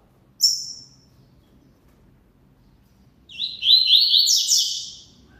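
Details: A double-collared seedeater gives one sharp, high whistled note, then after a pause a full song phrase of rapid, buzzy chirps that step upward and fade out.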